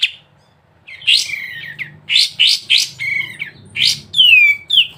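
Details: Sooty-headed bulbul singing prolifically in the ngebren style, used as a tutor recording for songbird keepers: a lively series of sharp, downward-slurred chirps and varied whistled notes in quick bursts over a faint low hum.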